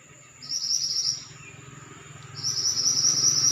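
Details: Pied bushchat delivering two rapid, high-pitched, sizzling trills, the second longer and still running at the end, separated by a quieter gap over low background hum.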